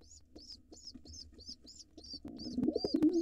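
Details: A nest box of wild pigeons, where an intruder male attacks helpless nestlings. Spaced high thin peeps repeat about two or three per second, then low rumbling cooing builds at the end.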